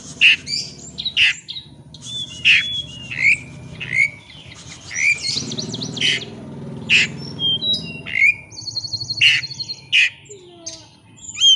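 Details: Oriental magpie-robin singing as a lure to provoke a rival into full song: loud varied whistles, sharp rising notes, buzzy bursts and squeaky phrases in quick irregular sequence, with faint low hum beneath.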